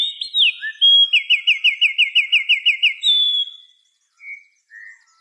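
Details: Birds chirping at dusk in the afternoon: a swooping whistled introduction leads into a steady trill of about ten quick looping notes, then a held whistle and two soft later chirps.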